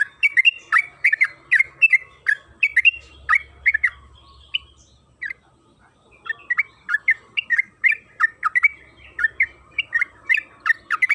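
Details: {'caption': "Yellow-vented bulbul (trucukan kebo) singing a long, lively 'gacor ropel' lure song meant to make other bulbuls sing: rapid bubbling chirped phrases, repeated several times a second, with a brief pause midway and a faint low hum."}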